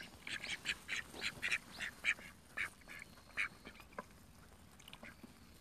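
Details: Call ducks in a pool quacking in a rapid, uneven burst of high nasal calls that thins out to a few isolated quacks and quiet water sounds.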